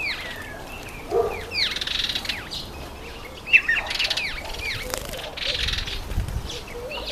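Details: Red-faced mousebird visiting a birdbath, giving busy bursts of thin descending whistles and chirps, sometimes overlapping, mixed with frequent flutters of wings and a soft background hiss.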